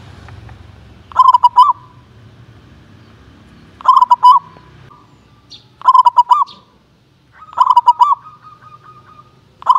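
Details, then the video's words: Competition-grade local zebra dove giving loud, rapid stuttering coo phrases roughly every two to three seconds, some ending in a drawn-out tail, with a soft low background hum. "SUARA PANGGILAN PERKUTUT KELAS LOMBA"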